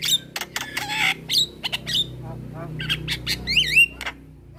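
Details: Young Javan myna calling companions by day while other mynas answer: clicks and squawks mixed with clear whistled upslurs, closing with looping warbled whistles over a low background hum.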